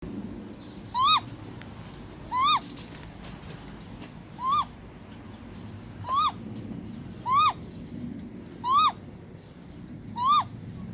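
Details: A Great grey owl (Strix nebulosa) gives seven short, rising-then-falling whooping calls, one every one to two seconds, over a soft, steady background hiss.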